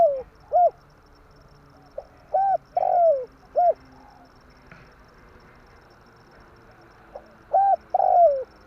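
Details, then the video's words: Spotted dove calling in tarik akar style, played as a trapping lure: repeated phrases of short rounded coos ending in a longer falling coo, with pauses of a few seconds and a faint steady background hiss. "burung tekukur tarik akar/សំលេងលលកធ្នាក់លឺល្អ100%/Suara pancingan derkuku kuk"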